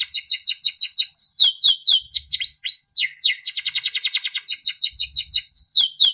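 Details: A yellow Timbrado canary sings beautiful melodic song, chaining rapid repeated slurred whistles into a dense rolling trill around the middle, then back to quick descending notes; faint low knocks in the background.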